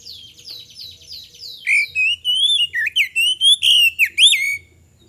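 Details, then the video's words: Magpie-robin song used as a lure for other birds: a soft series of descending notes, then loud rich whistles rising and falling in quick succession, roughly two per second. "PANCINGAN KACER GACOR AGAR CEPAT RESPON"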